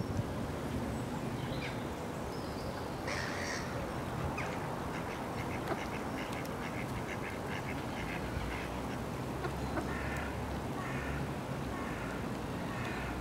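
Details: Mallard ducks on a pond giving a loose series of nasal quacks, some in short runs, fairly faint behind a steady rushing background noise.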